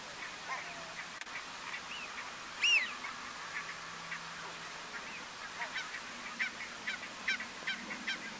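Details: A Eurasian wigeon at Strijen, Netherlands, in February 2018 gives one loud, clear whistled 'whee-oo' that rises then drops, followed by softer whistles and chatter from other birds in the flock.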